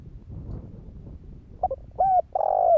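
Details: Cooing of a spotted dove used to draw replies from other doves, Vietnam. After a stretch of low background rumble, a short pair of notes leads into two strong, drawn-out coos, the last one sliding downward.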